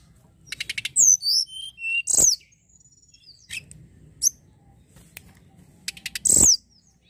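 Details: Lure recording of a snowy-browed flycatcher singing, meant to stimulate song: a fast stuttering series of high pulses leads into sweeping thin whistles. Several loud sharp clicks break in.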